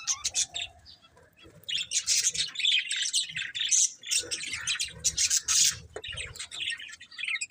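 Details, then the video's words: Several budgerigars chatter in busy, buzzy bursts of high squeaks and ticking notes that build after a quieter opening second. "Beautiful Budgies Chirping Sounds"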